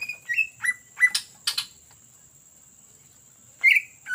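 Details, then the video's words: Greater green leafbird, a lure bird singing ngetrok: a few short whistled and slurred notes, two buzzy bursts, a long pause, then one loud rising whistle. A faint steady tone runs underneath. "CUCAK IJO GACOR Ngetrok Cocok Untuk Pancingan"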